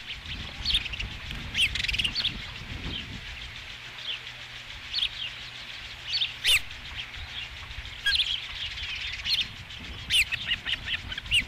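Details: At the Dunrovin Ranch osprey nest, 5 July 2016, with the first fish: repeated high, thin whistled chirps in loose clusters, some doubled, against a low rumbling background.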